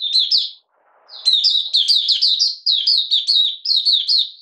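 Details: Oriental white-eye from Malaysia, kept caged, moulting lightly and not in form, recorded 31 July 2023: 'buka sing' song of bright, high twittering notes in quick tumbling runs, a short pause, then a longer rapid sequence.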